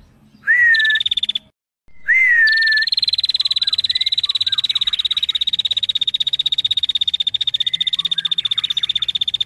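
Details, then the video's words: Female bar-winged prinia, very vocal. Two short phrases, each a rising whistle then a buzzy trill, are followed by a long, unbroken rapid pulsed trill held at a high, even pitch. Faint lower chirps sound behind it. "Prenjak Betina Gacor"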